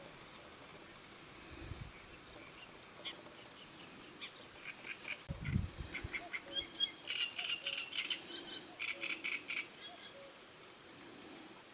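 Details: Red-backed shrike recorded in the Sarmatskaya river valley, Neklinovsky district, Rostov region, Russia: faint, quick chattering series of short high notes in the second half, over steady background hiss, with a few low thumps.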